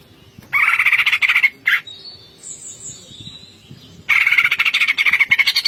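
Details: Greater green leafbird in full song, "ngentrok" style with varied fill-ins: loud harsh chattering bursts around mid pitch, repeated rapidly, broken by a pause holding a thin high whistled line before the chatter resumes.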